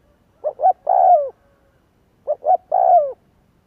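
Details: Spotted dove coo played as a lure to stir doves into cooing. Two soft phrases, each with two brief hoots leading into a drawn-out, slightly falling coo, separated by a short silence.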